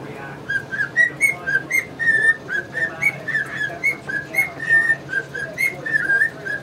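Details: Pure whistled notes from a male pet cockatiel carry a tune like Yankee Doodle Dandy, wavering gently in pitch, with faint budgie twitters behind.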